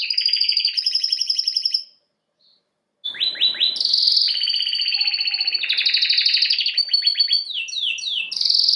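A canary sings fast, high trills and rolling phrases, breaks off for about a second, then returns with a long run of varied tours and slurred whistles.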